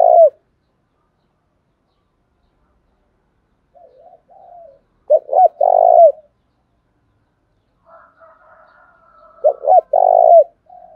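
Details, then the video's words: Spotted dove coo phrases separated by long silences: a brief low note at the start, then two bursts of short hooting notes ending in a longer, falling, slightly rough coo, with a faint murmur before the last. "cu gáy, cu gay kich boi nhanh noi gù"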